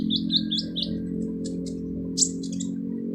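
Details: Harsh song of a sunbird known locally as kolibri ninja, used to train other birds: rapid high, slurred chirps followed by separate sharp notes, over a steady low indoor hum.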